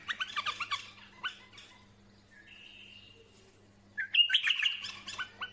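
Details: Bulbul singing: quick bursts of bright chirped notes, a rapid run at the start, then a steady whistled tone, then a louder, denser flurry of warbled chirps, with a low steady hum in the background.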